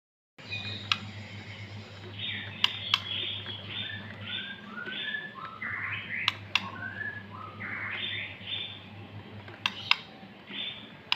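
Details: White-rumped shama from Lampung, a male kept bird, singing indoors: varied whistled phrases and rising slurred notes with short pauses, over a steady low hum and several sharp clicks.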